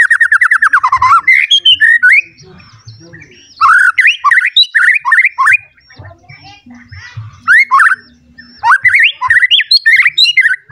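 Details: Agitated white-rumped shama looking for a rival delivers a rich, varied song of rapid harsh rattles, chattering bursts and looping whistled phrases in several loud bouts with short gaps, light low knocking in the background.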